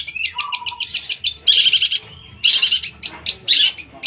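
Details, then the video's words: Long-tailed shrike in varied song: quick repeated sharp chips, a low warbled note, then bursts of harsh, buzzy scolding rattles alternating with quiet gaps. "tembakan kunti"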